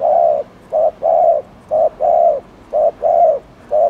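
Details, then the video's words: Provocative cooing of a spotted dove, meant to rouse other doves: loud, rounded low coos in short-then-long pairs, repeated rhythmically about once per second without other sounds. "CHIM CU GÁY GÙ ( BO )/ CU GÁY GÙ KÍCH MỒI NÓNG MẶT"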